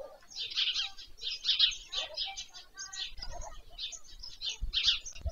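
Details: White stork nestlings take an evening meal at a nest in Leliaky, Poltava region, Ukraine, 21 July 2024, shown on a nest-cam stream. Rasping bursts come in close runs, with faint low knocks near the end.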